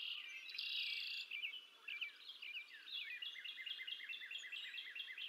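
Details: A bald eagle female feeding two eaglets at the Decorah North nest, 20 April 2024, on a nest camera: a rough squeal first, then a long, quick string of high, repeated chirps with a rolling rhythm.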